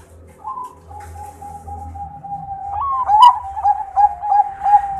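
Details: Bangkok-type zebra dove, a contest champion, singing vigorously: a steady mid-pitched cooing tone with rising hooked notes, then rapid bubbling trilled coos repeated about three times a second, over a low background hum.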